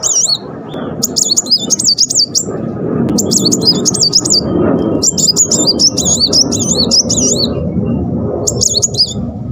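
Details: A Muncang sunbird, wagging its tail while singing, gives quick bursts of high, tightly rolled warbling trills about a second each, over a steady low rumble, used as master song to trigger other Muncang.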